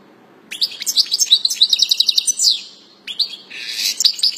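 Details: European goldfinch singing two phrases of rapid, liquid twittering with buzzy and metallic notes, the first lasting about two seconds, a short pause, then a second run of chattering trills.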